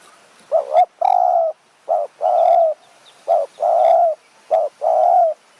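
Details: Spotted dove cooing during decoy luring in high mountain forest near Kanchanaburi, Thailand, a bird described as small-voiced with a sharp delivery. Low, mellow coos come in paired groups: short notes each followed by a longer, steady coo, repeated about four times over a quiet background.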